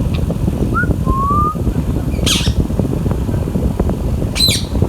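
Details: Green Indian ringneck parakeet chick kept at home, two loud rasping squawks after a pair of soft whistles, with steady low rumble throughout.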